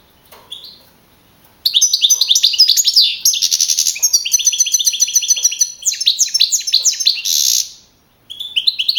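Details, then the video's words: First-placed young European goldfinch, Navalcarnero singing contest, April 2012, Madrid region; a long unbroken torrent of fast chattering twitters and buzzy trills lasting several seconds, ending abruptly. "JILGUERO CAMPERO CAMPEON 2012"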